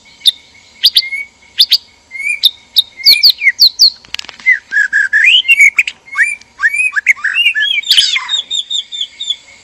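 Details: Male and female white-rumped shama kept in a breeding cage, in mating mood; sharp high chips repeated, then rich whistled phrases with looping slurs building toward a dense burst.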